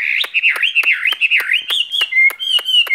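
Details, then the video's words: Caged skylark pouring out a continuous warbling whistle that wavers up and down, broken by regular sharp clicks, ending in level high notes. "Chim quý ở lồng son ca bản tình ca mùa xuân"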